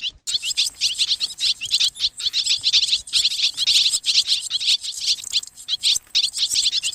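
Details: Swallows gathering to roost, played to lure birds: loud, crowded high chirping and twittering, steady throughout, with many birds calling at once.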